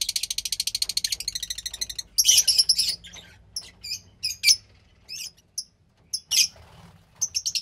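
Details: Fischer's lovebird chick, about 15 days old, from a lutino and pastel blue pair, kept indoors: a fast rhythmic pulsed rasp, a harsh squawky burst, then spaced high chirps over a low hum.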